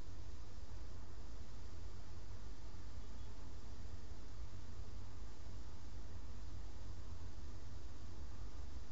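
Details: Steady broadband hiss and low rumble throughout, with no animal voice heard.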